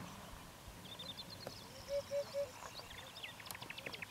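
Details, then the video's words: Eurasian hoopoe singing in Bulgaria in spring 2015, a quick triple of soft, hollow, even-pitched notes, with other small birds twittering and chirping high above throughout. "Hoopoe Song"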